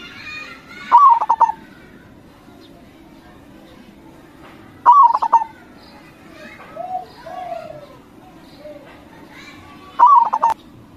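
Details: Local zebra dove, a lively singer used as a lure for other doves, giving three short cooing phrases about four to five seconds apart. Each phrase is a bright rising note, then quick stuttered coos. Softer, lower coos fall between phrases.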